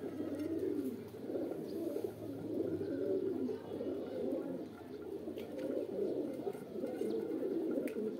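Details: A chorus of pigeons gives deep, bubbling coos that swell and fade in waves roughly every second or two, with occasional faint clicks.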